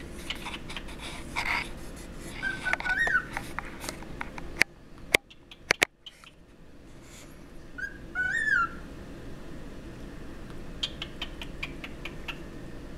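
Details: Two pet cockatiels; one gives short, bright whistled notes that rise and fall, over a steady room hiss with a few sharp taps.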